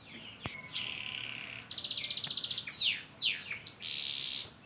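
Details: Canary, a young bird learning its song after the moult, delivering sustained high buzzy trills, a rapid pulsed rattle, then loud descending whistled sweeps and a final steady trill.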